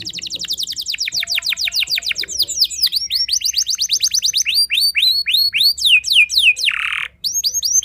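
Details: Canary singing a loud gacor song meant to unsettle rival canaries: fast runs of rising and falling whistled sweeps, high trilled phrases, then a brief harsh buzzy note before more looping whistles.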